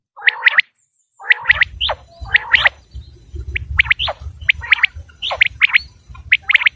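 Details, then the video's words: Common quail giving bright, sharply rising triple notes, repeated about once a second, with a few nasal lower notes at the start and a persistent low rumbling noise underneath. "بٹیر کی اواز 1 گھنٹے کی Quail Beautiful voice"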